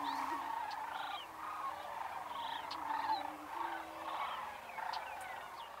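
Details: About 30 male Greater Prairie-Chickens at a lek in sparse upland prairie in Nebraska, at first light on a misty mid-March morning with no females present, boom with low hollow overlapping moans amid cackles, whoops and squeals, with cranes and meadowlarks behind.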